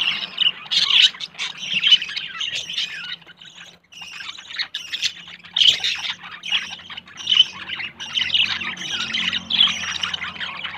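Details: A forming pair of budgerigars, a yellow male with a blue female, about to nest, pour out chirpy, buzzy warbling in phrases, with a short quiet spell early and a faint low hum later.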